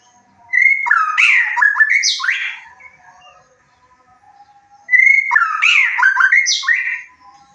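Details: White-rumped shama song played as a lure to raise emotion and arousal so a bird joins in and unloads its repertoire: two matching loud phrases, each opening with a clear whistle, then fast rising and falling warbles and a high buzzy flourish.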